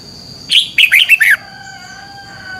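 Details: Red-whiskered bulbul singing for morning competition training to stimulate other birds: one quick run of five rich, warbling whistles, followed by a lingering thin whistled tone.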